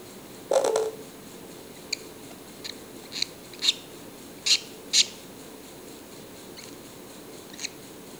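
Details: Young yellow-collared lovebirds, hungry for kisses; one short lower rasp followed by single sharp, high chirps spaced about a second apart, quiet room in between.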